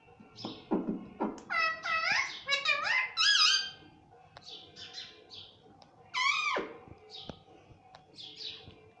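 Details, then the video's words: Pet Indian ringneck parrot that talks, saying mummy and papa, producing a quick run of stacked, nasal, word-like syllables, then a pause and a loud downward-sliding syllable followed by softer chatter. "parrot talking mummy || papa bolta tota || indian ringneck parrot"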